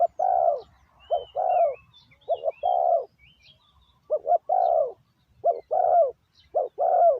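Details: Decoy spotted dove repeatedly cooing to call wild doves: about seven phrases of paired short notes and a longer, falling coo, roughly one per second, with faint thin whistles from other birds.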